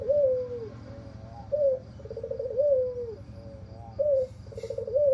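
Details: Albino Barbary dove, white with red eyes, known for a hoarse voice; repeated husky coos alternate long falling notes with rough trilled bursts and short upslurs, with a brief hiss near the end.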